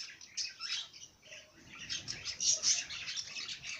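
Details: Bird twittering continuously in soft, high warbled chirps, fairly steady and busy throughout, over a faint low hum.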